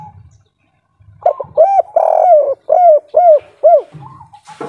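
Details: Local spotted dove singing the 'kuk 3' style with an old, deep voice, used as a lure to get other doves singing: after a low rumble, a fast series of six loud, rounded coos, each rising and falling, then a softer closing note.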